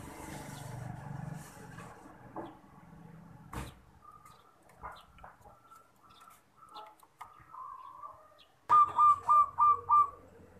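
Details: Zebra dove cooing, a recording meant for luring birds: scattered soft, level tones at first, then near the end a quick run of five evenly spaced, clear coo notes; faint clicks and knocks in the background.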